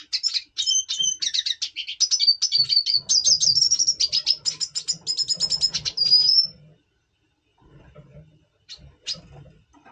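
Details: Red Siskin (double pastel) in breeding condition, November 2023, sings a fast, continuous twittering song of high buzzy trills and chirps for about six seconds, then a few scattered notes.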